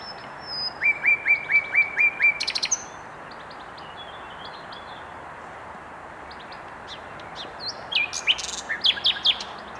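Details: Singing common nightingale in Mils, 7/5/21: a row of six evenly spaced whistled notes and a sharp rattling burst, a long quiet gap, then a rich jumble of varied high phrases.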